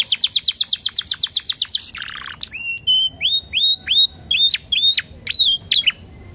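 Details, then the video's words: Canary performing a lure song to draw others into singing: a rapid even trill of about a dozen high notes, a brief harsh buzz, then slower, separate upslurred and downslurred whistles. "PANCINGAN KENARI TERBAIK DENGAN JEDA 10 DETIK LEBIH EFEKTIF"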